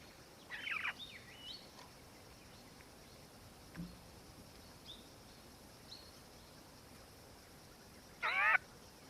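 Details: Black-faced cuckoo-shrike, subspecies melanops, in Victoria, Australia, December 2019: two short, harsh, rolling churred calls, one near the start and one near the end, with faint brief chirps between over a quiet background hiss.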